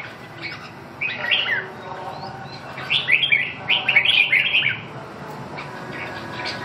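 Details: Red-whiskered bulbul singing: short, bubbly, warbled phrases of quick rising and falling notes in small clusters, fairly soft over a steady background hiss.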